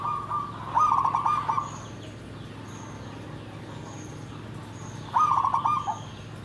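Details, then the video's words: Zebra dove singing in the nggandem gedhe garing style, two short bursts of rapid, bubbling trilled cooing separated by several seconds of low background hum. "SUARA PERKUTUT"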